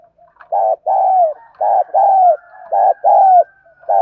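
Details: Spotted dove used as a lure against wild birds, in the 'thổ' voice style: a steady run of mellow paired coos, a short note and then a drawn-out slurred one, with a faint thin whistle behind.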